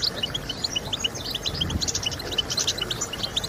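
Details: Song of a European goldfinch, used by breeders to motivate singing. Rapid high tinkling notes run together, and a few sharper buzzy twitters sit over a faint background hiss.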